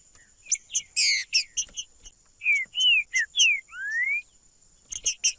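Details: Green-winged saltator (Saltator similis) sings loud, clear whistled phrases, bright chirps then slurred rising and falling whistles, over a faint steady high hiss; used to stimulate other captive saltators to sing.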